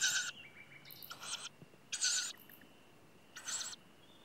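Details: Tawny owl at the nest on a farm in Sologne, France, at night, as parents bring food to the young: four harsh, hissing bursts, each about a third of a second long, every second or so, over a faint thin whistle.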